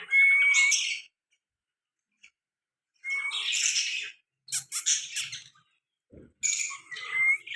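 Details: A pet talking Mian Mithu parrot, a baby, utters four raspy, speech-like bursts about a second long, mixed with short rising whistled notes, with quiet pauses between.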